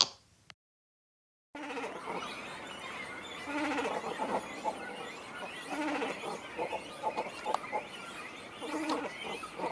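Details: Great cormorants raising chicks in trees around Suginoki reservoir, Saku, Nagano, Japan, many calling to each other: after a short silent gap, harsh overlapping bleating croaks and gurgling grunts rise and fall in irregular bursts from the nesting colony.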